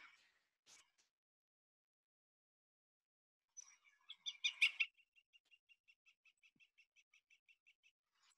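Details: A male Pileated Woodpecker (Dryocopus pileatus) drumming on a metal roof to attract a female and be the loudest male around: a burst of loud, jumbled notes, then its call, a quick, even run of short, bright notes, about five a second, fading out.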